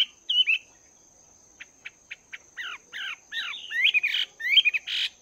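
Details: Chinese hwamei caged for two months, practising its voice in the morning: a short whistle, a pause, a few sharp ticks, then an accelerating series of varied slurred and buzzy phrases, with a constant high whine in the background.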